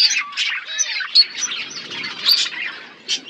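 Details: Budgerigars in a natural outdoor aviary while eating seeds, short separated chirps and squawky bursts roughly every half second, with a few thin whistled notes between them.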